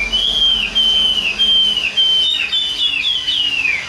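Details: Caged, hand-tame Chinese hwamei giving pure whistled phrases. Each is a level note that slurs downward at its end, repeated in a rambling sequence with a few higher notes.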